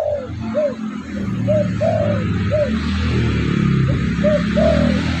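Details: Lure recording of a spotted dove: steady run of rounded coos, short notes alternating with longer drawn ones in a rhythmic phrase, against constant low droning noise.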